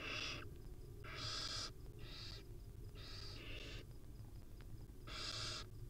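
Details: At a wild nest where a barn owl mother huddles with her young, six rasping broadband hisses sound in quick succession, some nearly back to back, each under a second, over low rumbling background noise.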